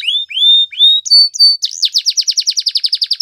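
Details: Canaries singing: three rising whistled notes, then two sharp higher notes, breaking into a fast, even trill of rapidly repeated high notes lasting over a second; clean and bright with no other sounds.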